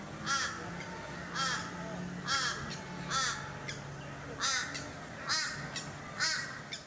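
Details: Australasian swamphen on the Sunshine Coast, Queensland, in September 2022, giving harsh, screechy descending calls about every second against steady background noise.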